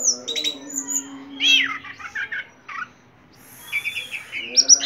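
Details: Ringed orange-headed thrush singing vigorously: high whistles and a buzzy descending burst, a brief pause, then a quick stuttering high series, with a faint low drone throughout.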